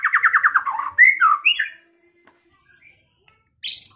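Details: White-rumped shama, caged, from Pekalongan, in provoking song to make rivals fight and sing: a fast trill, a few bright whistled slurs, about two seconds of quiet, then a high sweeping note series.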